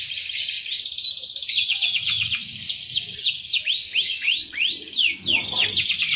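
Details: Gacor canary song with cengkok melody, a long unbroken outpouring of rapid high trills interleaved with repeated downward-sweeping whistles, one after another, ending in a dense rolling warble.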